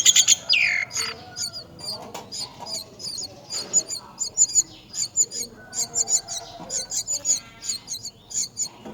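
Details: Myna at the nest caring for young: an opening downward-sliding harsh call, then a long stream of thin, high chirps repeated in quick irregular bursts.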